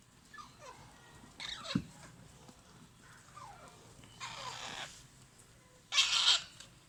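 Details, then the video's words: Alexandrine parakeet chicks kept at home, calling during feeding: thin descending squeaks early on, then two long, harsh, hissing rasps toward the end, the last one loudest. "FEEDING MY ALEXANDRINE PARROT CHICKS"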